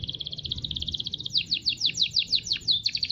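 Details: Local canary singing: a rapid, steady, high-pitched trill of even notes for over a second, then a series of sharp descending whistled sweeps repeated about three times a second, over a low background rumble.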